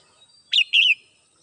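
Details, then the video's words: Red-whiskered bulbul kept at home, singing in the morning: a short, loud two-part whistled phrase, a rising sharp note then a longer warbled note, against a quiet background. "CHim Chào Mào Mơ nhà mình hót buổi sáng"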